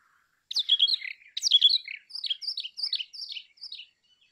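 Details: Brown rock chat (Oenanthe fusca) sings a short, sweet warbled phrase: two rich, slurred opening notes, then a run of about six quicker, descending chirps; no other sounds.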